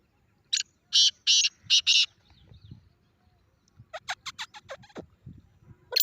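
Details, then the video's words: Grey francolin call played to provoke a pet francolin, with loud harsh broadband bursts in a quick group of four, then a series of sharp, clipped notes repeated about every fifth of a second. "اپنے تیتر کو یہ آواز سناؤ 😱 تیتر کا زبردست ردعمل دیکھیں | Teetar Call"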